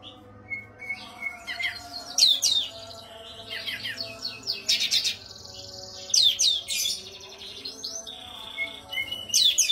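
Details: Oriental white-eye singing a masteran song used to tutor captive songbirds: bursts of high, rapid twittering with sharp downward-sweeping notes, separated by brief pauses. A steady low hum runs underneath.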